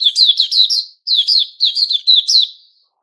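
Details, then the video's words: Rapid, tumbling high-pitched notes from a white-crowned shama in new-feather season, 6 September 2021, delivered as two dense rattling phrases with a short break between. "Puteh Raja season new feathers"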